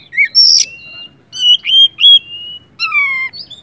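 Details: Oriental magpie-robin, a lively bird used to stir other magpie-robins into singing; a few long clear whistles, one sliding down, with a harsh burst and a steady held note between.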